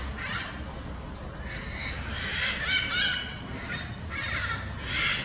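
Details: Parakeets in São Paulo, Brazil, give harsh, raspy screeches in short bursts, several each second, over a steady low background rumble.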